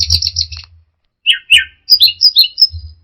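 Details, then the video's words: Orange-headed thrush, locally anis merah, singing in the 'teler' style: a high buzzy trill, a pause, then slurred falling whistles and quick sharp high notes, over a low steady hum. "Suara Burung Anis Merah Teler"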